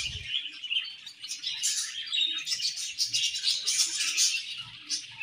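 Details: Colony of budgerigars feeding and chirping together: busy, high-pitched twittering and warbled chatter overlapping throughout, with a faint low thump at the start.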